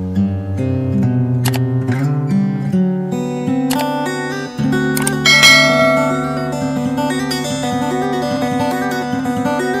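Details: Plucked acoustic guitar music with strummed chords and a steady melody throughout; no animal sounds are heard.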